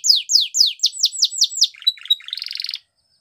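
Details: Belgian canary delivering training song: about eight clear falling whistles at roughly four per second, then a low choppy rattle and a brief buzzy high trill before silence.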